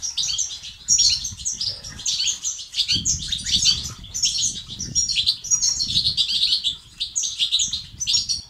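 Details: European goldfinch betbeta and sestasat song for stimulating males to sing: an unbroken stream of high, liquid twitters and metallic trills over eight seconds, with a muffled low rumble in the background.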